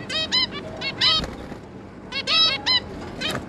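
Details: A pair of zebra finches and their three juveniles, recorded 11 May 2022, give short, nasal, toy-trumpet-like beeps in quick clusters of two or three against a faint background hiss.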